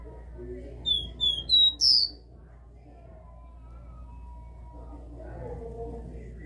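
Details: Capped seedeater in a cage singing its classic three-note song: four clear, high whistled notes in quick succession, each a step higher, the last slurred, followed by quiet low background rumble and faint murmur.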